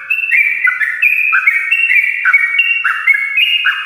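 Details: Yellow-vented bulbul giving a long, lively morning song used to stir lazy birds into singing: clear whistled notes stepping up and down in quick succession, bright and continuous, with faint background hiss.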